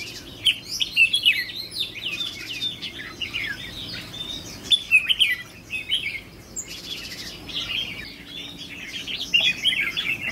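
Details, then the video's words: Trainee decoy red-whiskered bulbul with 'fire eyelids', temperament under test: lively, jumbled chirps and slurred whistles in repeated bursts, fairly continuous with short gaps, and some scuffling noise. "Thử Thái Độ Chào Mào Mồi Tập Sự 2 ''MÍ LỬA''"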